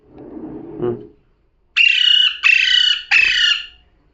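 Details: Parrot reported as talking: a low muffled noise, then three strident, flat, harmonic squawks in quick succession.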